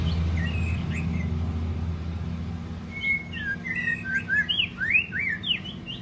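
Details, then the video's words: White-rumped shama singing a long song, played to stimulate other shamas to sing: after a low rumbling start, a run of clear whistled notes, slurred upward and downward, quickly alternating in pitch. "chòe lửa hót giọng dài"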